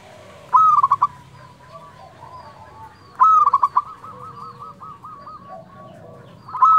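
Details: Local zebra dove, kept as a lively singer to spur other doves to reply, gives loud stuttering fluted coo phrases about three seconds apart, followed by rows of softer rolling coos.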